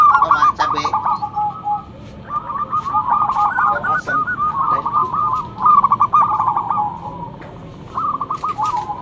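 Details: Zebra dove, a local bird with a loud voice used to lure others, giving several bursts of fast trilled cooing notes separated by short gaps, with faint clicks in the background.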